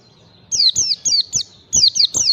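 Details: Training lure of a white-eye singing ngalas style: a brief faint lead-in, then seven crisp, high, downward-sweeping chirps in two close groups.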